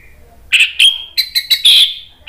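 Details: Agitated Orange-headed thrush song used to provoke other birds into singing; after a quiet start, a series of loud clear whistled notes and short bright bursts, ending in a sustained level whistle.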